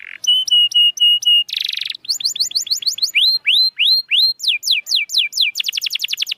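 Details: Song for coaxing lazy, silent canaries into singing: a brief harsh note, then steady flat whistled syllables, a buzzy burst, repeated rising and falling sweeps, and a fast final trill of rapid notes.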